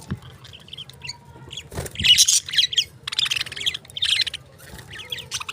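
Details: Lovebirds giving dense, high, squeaky chirps and shrill chatter in several bursts of about a second each, separated by short pauses, with a few low thumps and faint rustling.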